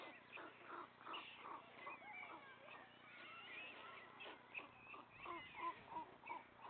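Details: White stork nest where the father feeds three remaining young chicks; a run of short pulsed nasal notes, several per second, mixed with brief high mews and squeaks.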